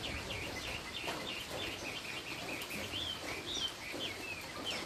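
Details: Chinese hwamei in "cao cầu" song style, a straight song: a rapid series of rising whistled notes, evenly repeated, then a few higher sweeping phrases, heard at modest volume over background hiss.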